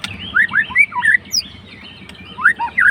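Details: White-rumped shama (murai batu), a fighter bird provoking a rival, sings rich fluty slurred whistles, rising and falling in short phrases, over a low background hum.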